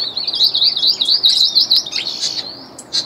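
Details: A trained ultramarine grosbeak sings a high, fast warbling song, a rippling two-second run of sweet notes followed by a few separate chirps.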